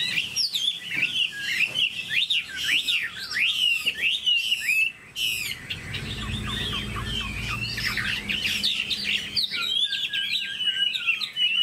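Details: Caged Chinese hwamei performing a long, vigorous song of rapid zigzagging whistles, fast trills and sharp upward sweeps, with a low rumble underneath in the middle section.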